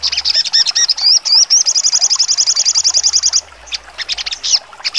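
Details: Crimson sunbird (sogon) in full trotol song with sharp 'nembak' notes: high thin chirps, then a few rising slurred whistles, then a long fast even trill of rapid ticking notes, ending in scattered sharp chips.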